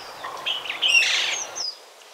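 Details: A Duivenbode's lory gives a single harsh, buzzy screech lasting about a second, framed by softer squeaky notes.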